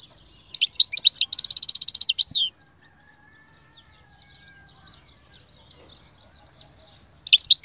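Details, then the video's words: A goldfinch delivers a burst of twitters and a rapid buzzy trill, then gives scattered soft chirps before starting another twittering phrase. "أقوى تغريد مقنين يجعل المقنين الساكت يسير"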